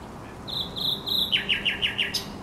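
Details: Thrush nightingale singing on the Żerań Canal on 24 April 2022: a few thin, high whistled notes, then a run of five loud, rapidly descending strokes in quick succession, ending with a sharp rising note.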